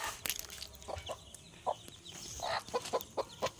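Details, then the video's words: A hen with chicks gives a quiet run of short, low clucks, evenly spaced and quickening toward the end, over faint background noise and a few high peeps. "Hen With Chicken"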